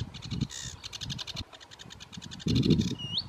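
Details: Sedge Warbler song from Biebrza National Park, Poland, 15 May 2015: fast chattering repeated notes, a brief harsh burst, and a closing clear rising whistle, with gusts of low wind noise.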